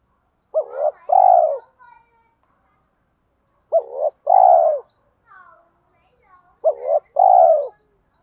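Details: Lure spotted dove repeating "giọng thổ" coos mixed with "thúc đấu" challenge calling to attract wild doves quickly; three low two-part phrases about three seconds apart, each a hooked short note then a sustained coo, with faint soft notes between.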